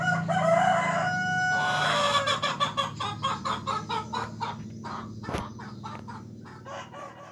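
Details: A village (kampung) hen crowing like a rooster, which she does in the morning: a drawn-out harmonic crow for about two seconds, followed by a series of rhythmic clucking pulses that fade away.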